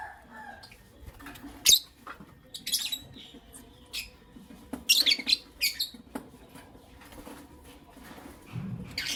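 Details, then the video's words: Creamino and Lutino Opaline lovebirds calling in the morning with raspy high chirps in short clusters, separated by brief pauses, over light tapping and faint rustle. "Lovebird Chirping Sounds"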